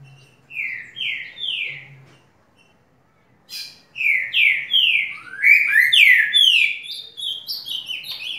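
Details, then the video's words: Currucutil singing a lot: three slurred, downward-sweeping whistled notes, then a pause, then a faster, denser run of overlapping descending whistles and sharper chirps that continue to the end, with a faint low hum early on. "Currucutil cantando muito"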